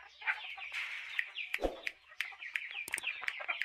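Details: Chickens kept as farm birds, going about their daily activities; a busy flock clucking with many short overlapping notes and sharp clicks, voices crowding together throughout.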